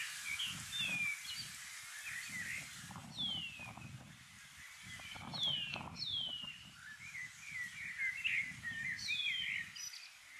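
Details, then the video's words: In summer in the Maungakotukutuku Valley, New Zealand, several shining cuckoos in a tree near a home call to each other with thin, downslurred whistles about every three seconds, among chirping from other birds over a low wind-like rumble. "Shining Cuckoos with Birdcalls in Summer"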